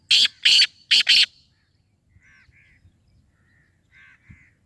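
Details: Black francolin call: four loud, scratchy, grating notes in quick succession, followed by soft short chattering notes in a quiet setting.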